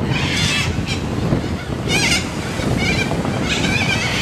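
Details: White cockatoos in Australia uttering raspy screeching bursts about a second apart over heavy low rumbling noise.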